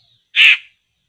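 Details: Laughingthrush targeted with traps, known as poksay: one rough, scratchy squawk of about a third of a second, loud and abrupt, then trailing off.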